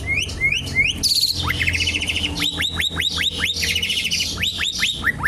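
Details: Asian pied starling song used as a lure and to teach other birds: rapid series of rising whistled notes, harsh buzzy bursts and repeated slurred whistles in a dense, busy phrase.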